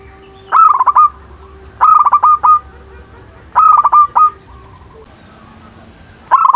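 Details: Zebra dove in full song, used to provoke rivals and get lazy or silent doves calling again: four loud, clipped, stuttering phrases of rapid pulsed coos, each about half a second, with long quiet gaps and a faint steady hum behind.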